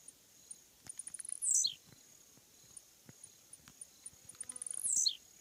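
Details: Blue-black Grassquit (Volatinia jacarina) song: quick dry ticks speeding up into a high, buzzy burst that slides sharply downward, given twice about three seconds apart, over a steady thin high whine in the background.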